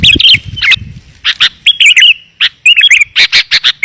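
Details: Kutilang lure call aimed at wild sooty-headed bulbuls: clustered bright, bubbly chirps and slurred whistles in quick bunches, with a low rumble at the start.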